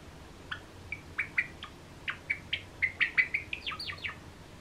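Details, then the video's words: A cream Java Sparrow gives a quick, uneven run of bright, high chips and short whistled notes, about three or four a second, ending in a few falling notes, over quiet room hum. "クリーム文鳥チノの鳴き声 Java Sparrow"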